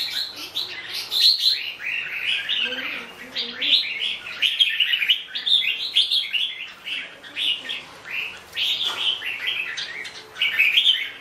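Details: Red-whiskered bulbul singing a long run of bright, warbled phrases. Short rising and falling notes come in quick bursts with brief pauses between them, and a faint lower murmur sits beneath.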